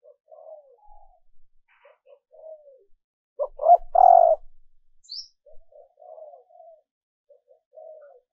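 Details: Calling hen dove meant to excite males: soft descending coos at the start and end frame a loud, stepped three-note coo in the middle.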